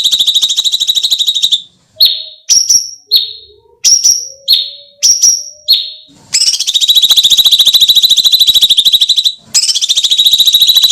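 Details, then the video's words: Sooty-headed bulbul (cucak cungkok) giving scary screaming calls for training: short shrill buzzy bursts with brief gaps, then long continuous harsh grating screeches, very loud and high. "MASTERAN JERITAN SEREM (cucak cungkok)"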